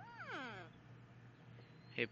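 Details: A yellow-naped amazon gives one loud, sweeping, harmonic call that rises and then slides down. A person speaks nearby, then a sharp short click near the end.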